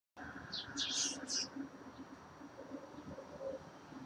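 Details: A male Baltimore oriole at a feeder gives three quick, high, scratchy chatter notes in about one second, then falls silent over a low background rumble.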